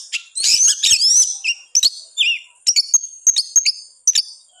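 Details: Oriental magpie-robin (kacer) singing hard in gacor fashion to provoke reluctant birds. A busy opening of warbles and slurred whistles, then a string of clipped, repeated high notes.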